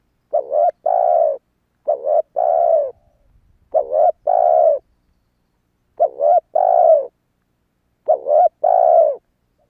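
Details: Lure call of a spotted dove for wild doves: five steady phrases about two seconds apart, each a short bending coo leading into a longer rounded coo, clear and unhurried.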